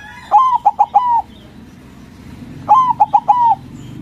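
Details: A white zebra dove (perkutut) gives two loud bursts of its soft rolling song, each a quick stutter of four bubbling coos, about two seconds apart.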